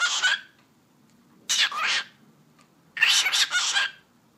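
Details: Cockatiel imitating speech, repeating the Turkish "eşek sıpası": three grainy, whispery phrases about one and a half seconds apart, the last longer and split into two parts, in a quiet room.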